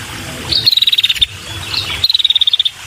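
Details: A female prinia with a red head calls to attract males, giving two clean bursts of rapid, evenly pulsed high ticking, each about half a second, separated by a pause.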